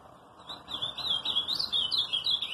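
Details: Ultramarine grosbeak song: a continuous warbled phrase of rising and falling whistled notes, starting quietly and growing louder, over broad background noise.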